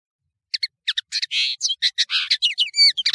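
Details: European serin, known in Algeria as nino and in Morocco as kamatcho, singing a high-quality training song for teaching young birds: rapid jingling, high-pitched chirps and buzzy trills tumbling together, clean with no other sounds.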